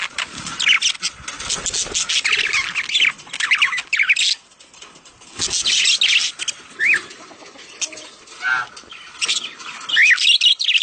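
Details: Budgerigar mating sounds meant to stimulate the female to lay eggs: busy, scratchy warbling chatter with quick rising and falling chirps in bursts, brief pauses between bursts.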